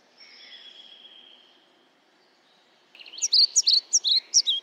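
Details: European pied flycatcher (Ficedula hypoleuca): faint, drawn-out high tones at first, then after a pause a loud, quick burst of about eight sharp, high chirping notes.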